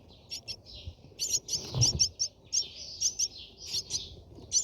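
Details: Brahminy starling at its nest giving high, thin chirps over a steady buzzy hiss, several notes a second, with a soft low thump partway through.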